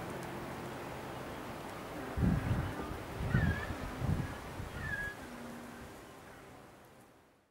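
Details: African penguins at a colony of hundreds nesting on an ocean hillside near Cape Point, some in man-made burrows, give a few short, harsh, nasal squawks in quick bursts over about three seconds, over a steady low hum.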